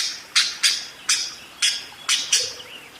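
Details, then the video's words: Budgerigar giving six harsh, scratchy squawks at uneven intervals of about half a second, with a faint low chirp near the end. "SUARA BURUNG PARKIT ‼️ NGEROL DERES GACOR DOR"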